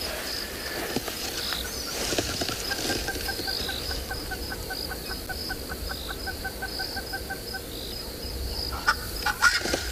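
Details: On a morning safari in a South African game reserve on 18 February 2021, a spurfowl gives a quick, evenly spaced series of harsh, clipped notes, nearly two per second, over a steady high insect whine and other birds.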